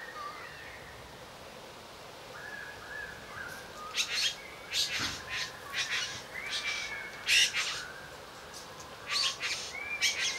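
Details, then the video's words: Male satin bowerbird courting a female with exaggerated dance and varied song: harsh buzzy bursts in irregular clusters, mixed with short whistled slurs and chattering notes, against a quiet background. "Satin Bowerbirds courtship"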